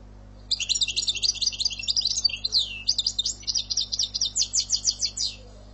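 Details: European goldfinch in Algerian song style, delivering a fast, tinkling medley of high twitters and a swooping slur. It ends with about ten clear, repeated upslurred notes at a steady pace.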